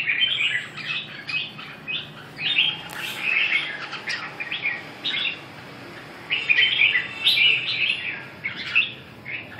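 A red-whiskered bulbul sings bright, chattering phrases of liquid whistles in quick bursts.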